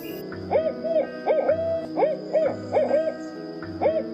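An owl gives short, hollow hoots, often in quick pairs, about every second, over a steady low humming background.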